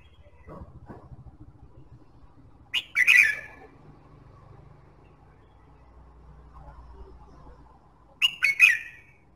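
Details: Red-whiskered bulbul singing, played to encourage other birds to sing: two brief bright warbled phrases several seconds apart over a low steady hum.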